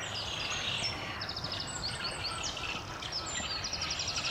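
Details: Eurasian spoonbill chicks calling from the nest in a breeding colony at Delftse Hout, Delft, Netherlands: a dense run of short, high, stuttering trills and thin whistled notes, with a faint low rumble underneath.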